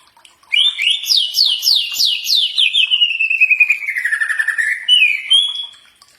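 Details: Common iora (cak ijo) used as training song for other birds: a rapid series of sharp upward-sweeping whistled notes, then a long descending buzzy warble ending in a brief rising phrase.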